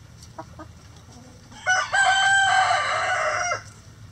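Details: Rooster in a chicken coop gives a loud, harsh, drawn-out crow lasting about two seconds after a pause, preceded by a few soft clucks and ending abruptly. Faint low hum in the background.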